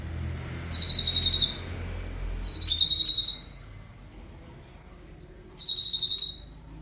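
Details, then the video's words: Cucak cungkok song, a fast rolling style, used as a tutor recording for other songbirds: three separate bursts of rapid, high, buzzy trills about a second long each, over a low rumbling background hum. "Irama LaguNYA Jelas , Roll speed, Tembakan Rapat"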